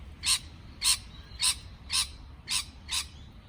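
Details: Six rasping, broadband chirps from a parrot, about two per second, each short and harsh with quiet gaps between.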